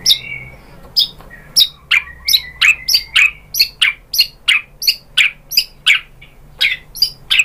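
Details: White-rumped shama song used as a lure to provoke other shamas into singing: a run of about twenty short, sharp high notes, steady and evenly spaced, each a quick downward flick, with one longer whistle at the start.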